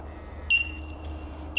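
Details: Bell miner at Dandenong Valley Wetland, Victoria, Australia, recorded 17 April 2021; loud, pure, high bell-like notes ringing clearly, two short tinkling calls with a low steady hum behind.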